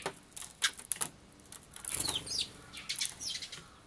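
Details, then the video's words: Fighting young sparrows, dated 16 June 2011: sharp high chirps at the start, then wing flapping mixed with a run of squeaky chirps and further scattered calls. "子雀同士のケンカ A fight between young sparrows"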